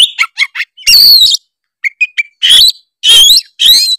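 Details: Tretes oriental magpie-robin singing a rich song full of imitations to provoke rivals: short chirps followed by loud harsh rasping bursts overlaid with bright whistles, separated by brief pauses.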